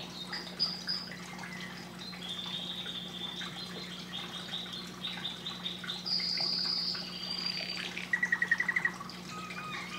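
A canary sings a varied run of high trills and sustained whistled notes, ending in a quick rattling burst, over a steady low hum.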